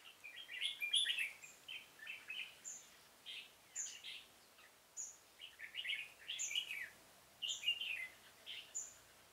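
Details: Red-whiskered bulbul used as a decoy to lure birds for trapping in a pomelo garden, 25 October 2017: lively, continuous run of rich warbling and chirping phrases, several per second, with sharp high notes, against light ambient hiss.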